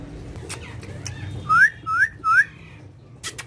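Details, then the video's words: Friendly talking pet parrot whistles three sharp upslurred notes about half a second apart, framed by a few soft clicks and faint low background hum. "My So Cute And Friendly Speaking Parrot"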